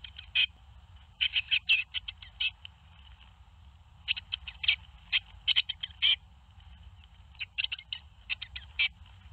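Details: Tits at a nest box in Théding, France, 21 May 2019, around the fledging of seven young: clustered runs of sharp, high, rapid chirps separated by brief pauses, over a constant low hum.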